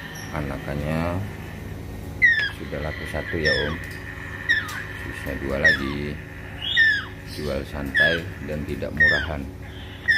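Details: African grey parrots kept for breeding, giving clear, short whistles that slide downward, repeated roughly every second, with lower harmonic chattering notes in between.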